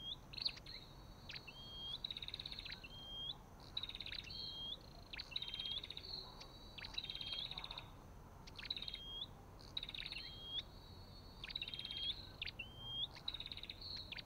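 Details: Olive-backed tailorbird: continuous run of high chip clusters with buzzy trills and short rising whistles, repeated rapidly over fourteen seconds, on a quiet background.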